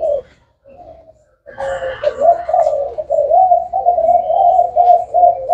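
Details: Spotted dove, called 'thái hậu', starting with a brief coo, falling quiet, then delivering a sustained, steady series of deep, hoarse cooing notes after a rustling noise.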